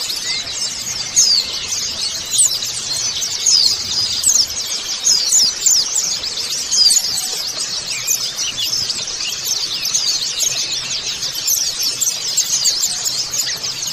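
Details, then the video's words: Long stretch of white-eye colony song used as a singing lure: continuous shrill, overlapping twittering from many birds, quick repeated chirps and trills layered without any silence. "pancingan pleci agar buka paruh"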